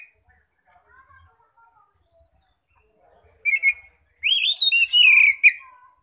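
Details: Oriental magpie-robin song used as a lure to draw other magpie-robins, described as ngeplong style: after quiet faint notes, loud clear whistled phrases with rising and falling slurred notes in short bursts near the end.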